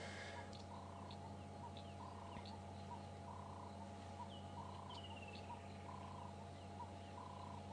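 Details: A Cape turtle dove on an afternoon safari drive at Djuma and Arathusa, South Africa, on 7 December 2014, gives soft, husky cooing phrases roughly every second over a steady low engine hum, with faint whistles from other birds.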